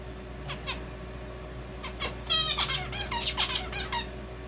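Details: Male zebra finch with red avadavat calls worked into his song: two soft notes, a pause, then a loud buzzy rising note followed by a quick run of bright cheeping syllables.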